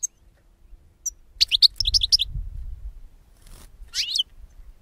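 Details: European goldfinch song of the kind used to lure birds for capture: a brief burst of tinkling, high twittering notes, then a short rising-falling slurred note, over faint low hum.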